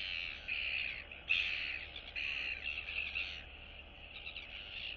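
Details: Royal albatross chicks, recorded 9 September 2022, greeting one another at neighbouring nests. Harsh, nasal calls come in uneven bursts of about a second each. A low steady hum runs underneath.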